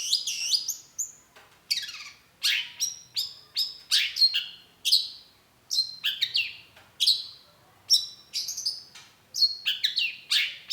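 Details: Lively long-tailed shrike song used to provoke others to answer: dense, varied high whistles and chirps, many sliding downward, delivered in short bursts with brief pauses throughout.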